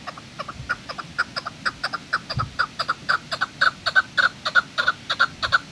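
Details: Chukar at Kachai Gulistan, recorded 21 April 2020, giving a rapid series of clucking chuk notes, about three per second, building steadily louder and more insistent toward the end.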